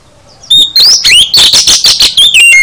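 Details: Oriental magpie-robin (kacer) in full isian song: a steady whistle leads into a fast, loud run of rich, warbling notes and sweeping whistles with hardly any pause.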